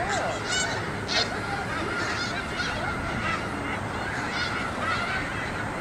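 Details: A migrating flock of snow geese numbering in the thousands honks nonstop on a school yard. Several loud, ringing yelps burst out early, over the dense chorus.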